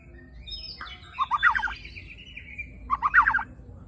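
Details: White-rumped shama (murai batu) tembakan and besetan song with coarse fill: two short clusters of quick, fluttering mid-pitched notes about two seconds apart, linked by a faint drawn-out whistle.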